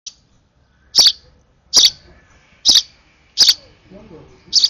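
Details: Hand-fed sparrow nestling at its last feed, overexcited, giving loud high chirps roughly every second in a short regular series, faint rustling between calls.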